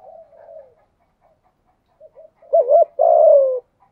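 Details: Thunder-voice spotted dove decoy luring wild doves in the rainy, windy season: faint murmured notes at first, then a loud double-hooked coo followed by one long, gently falling coo.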